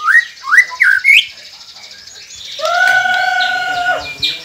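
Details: White-rumped shama song played to coax quiet captive birds into song: three quick rising whistles, then a long steady low whistle held for over a second.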